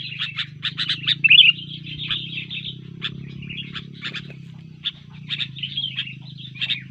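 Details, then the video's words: Disturbed sooty-headed bulbul in fighting mood, singing hard: clusters of sharp chirps and brief slurred whistles with short gaps, set against a constant low droning hum. "Burung kutilang Gacor ketika di usik keluar Fighter Tarung nya"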